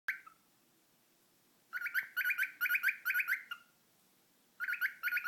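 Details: A pet cockatiel making funny noises gives bursts of rapid, warbling chirps with a harsh, buzzy edge; two runs of about a second each are separated by quiet.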